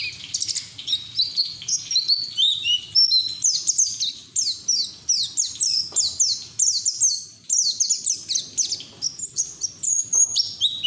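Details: Caged white-eye in full ngeriwik song as training audio for young white-eyes; dense, high, fast chatter of descending chips repeated in quick series, nearly continuous for eleven seconds.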